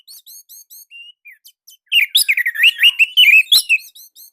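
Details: Orange-headed thrush from Indonesia, a master song for coaxing other birds to sing: high thin repeated squeaks, then a loud rapid sequence of rich whistled and trilled notes lasting about two seconds.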